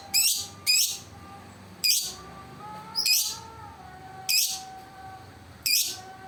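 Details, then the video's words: Lovebird giving six harsh, shrill chirps at irregular intervals of about one second, each a loud broadband burst, over a faint steady tonal hum in the background. "suara burung Lovebird"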